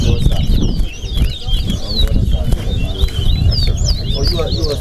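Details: Large-billed seed finch (towa-towa) singing at a whistling competition at Alligator Pond, east side versus west side: rapid high whistled notes and slurred chirps run continuously over a low rumble of crowd noise and voices.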